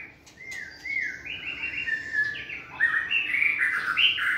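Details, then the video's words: White-rumped shama, caged and training in a flight cage, singing energetically: a varied run of whistled and warbled phrases that swoop and slur, growing louder and richer toward the end. "Giọng chòe lửa hót rực rỡ đầy năng lượng"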